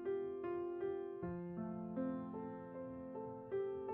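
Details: Piano or electric keyboard music plays a slow sequence of sustained notes and chords, with no animal sounds.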